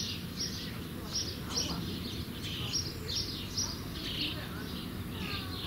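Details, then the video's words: Nestling common starlings nearly ready to leave the nest: repeated scratchy, buzzy chirps, several per second in uneven clusters, over a constant low rumble. "Junge Stare ■ Sturnus vulgaris werden bald flügge"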